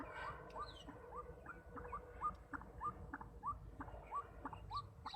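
A White-breasted Waterhen gives short upward-flicking notes around every half second, a steady rhythmic series over low background rumble.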